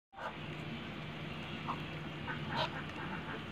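A big male Muscovy duck gives breathy, raspy hisses, with short harsh bursts midway and near the end, over a steady low rumble.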